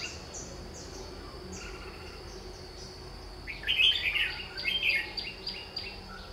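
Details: Red-whiskered bulbul at a trap set with a lure: a series of quick repeated downslurred chirps, then a louder tumbling burst of whistled notes, followed by more rapid chirps against a steady electronic hum.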